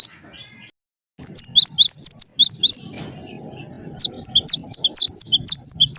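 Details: Wingko-type gelatik batu singing to set other birds off; quick series of high whistled paired notes, a short pause, then another rapid run of sharp, repeated upslurred whistles.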